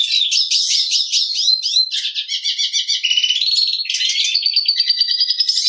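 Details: Black siskin in full song: jumbled high twittering gives way to wheezy drawn-out buzzes and level sustained notes, all delivered without a break.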